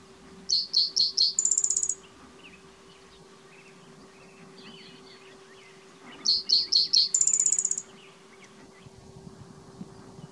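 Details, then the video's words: Spotted towhee singing at Hop Trailhead, Zion National Park, on 12 May 2017: two songs, each four quick, clipped high notes followed by a fast buzzy trill about half a second long, separated by a quiet pause over faint background hum. "Spotted Towhee singing"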